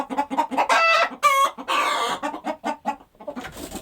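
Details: Countryside chickens during daily activity. Quick soft clucks lead into two loud squawks and a long grating cackle, then more short clucks that fade toward the end.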